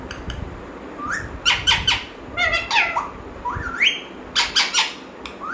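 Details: Talking pet parrot voicing squawky, harmonic rising notes and quick chattering syllables in clustered bursts, some phrases sliding upward like speech, in a small quiet room.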